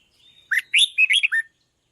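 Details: Red-whiskered bulbul sung to excite decoy birds: a single quick phrase of five or six sweet, slurred whistled notes that rise and drop, lasting about one second.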